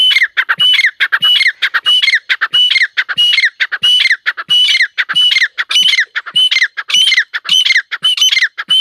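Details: Female teetar (partridge) giving a steady series of loud, harsh, grating squawks, about one and a half per second, each with a rasping, slightly rising quality, repeated without pause for nine seconds.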